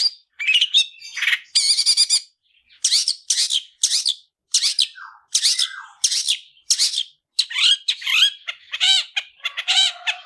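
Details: Long-tailed shrike (cendet) in 'tarung ngalas' fighting song, a gacoran bird kept for tutoring others: nearly continuous string of loud scratchy bursts and squeaky notes, with a couple of short lower slurred whistles midway.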